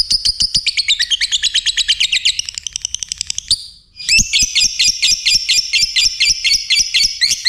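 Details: Lovebird in vigorous song: a fast high twittering chatter that fades, a short pause, then loud evenly spaced squeaky chirps at roughly two per second.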